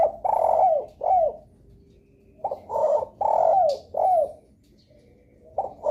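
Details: Lure call of a spotted dove, used to make other doves answer: two soft coos with falling tails, a brief hush, then four more low hollow coos, the third long and downslurred.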